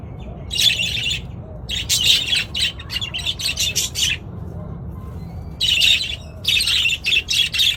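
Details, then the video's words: Budgerigar chorus, loud scratchy chirps and chattering squawks in dense bursts, a pause mid-way, then another rush of rapid chatter. "เสียงนกหงษ์หยก นกหงษ์หยก ร้องชัดเสียงดังระงม ประสานเสียง"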